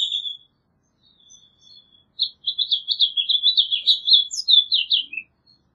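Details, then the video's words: House finch sings after a thin drawn-out opening note: a quick run of warbled chirps for about three seconds, closing with a downslurred buzzy note. "Pinzón Mexicano / Carpodaco Canto! Llamado! Cantando! - House Finch Song"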